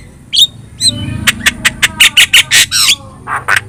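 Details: Javan myna, yellow-eyed, singing vigorously as training material for other songbirds: a few shrill whistles, then a run of about ten loud clipped notes followed by a descending whistled slur and more short chirps.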